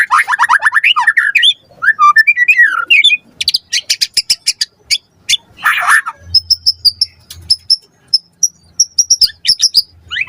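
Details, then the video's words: Lure song from a white-rumped shama in full varied song: rapid rich warbling phrases, then a string of sharp clicking chips, and a series of thin high whistled notes repeated about twice per second, faint low hum. "Pancingan Murai Batu Gacor Cepat RESPON Langsung NYAUT Jadikan Suara Burung Murai Gacor Full Isian"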